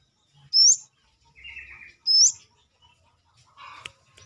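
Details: A brown-throated sunbird, singing vigorously outside a cage and used as a song tutor for other birds, gives two sharp, very high rising whistles about 1.6 seconds apart, with softer buzzy chatter between and after them.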